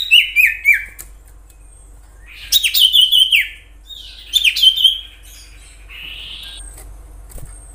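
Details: Common iora in natural song, used as a lure for ioras: bursts of three to four quick descending whistles, repeated after pauses, with a long buzzy note near the end.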